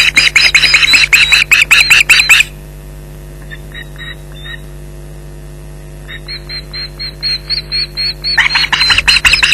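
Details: Ospreys defending their Loch Garten nest from an intruder in July 2011: a loud burst of harsh yelps, a quiet gap with fainter distant calls, then a softer series building back to loud yelping, over camera hum.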